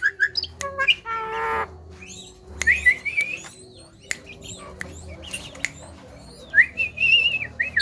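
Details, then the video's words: Javan myna (jalak kebo) known for speech mimicry, uttering short rising whistles, a buzzy harsh burst and several bright slurred notes in varied sequence, with faint background music. "JALAK KEBO VIRAL BURUNG BEO SAJA KALAH DENGAN SUARANYA"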